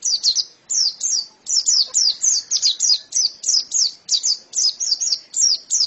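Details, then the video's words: White-eye giving high, thin descending notes in short clusters, a bit softer, with brief pauses between bursts. "Ini pasti pleci yang sangat super itu kicaunya"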